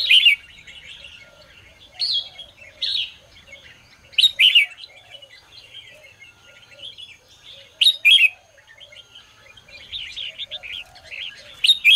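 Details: In the morning, a red-whiskered bulbul repeats loud, sharp whistled phrases at irregular intervals of two to four seconds over a steady background of quieter twittering notes.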